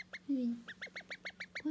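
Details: Call duck duckling, kept as a pet, whose voice changed over three hours while its keeper was out: a low, breaking quack-like note followed by a run of short, evenly spaced high peeps, then another low rasp.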